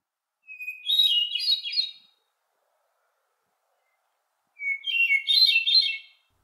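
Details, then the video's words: Hermit thrush song, sung in June: two flute-like phrases, each opening on a long pure whistle and breaking into a quick, ethereal swirl of higher notes, the second beginning slightly lower, with quiet between. "What does a Hermit Thrush song sound like"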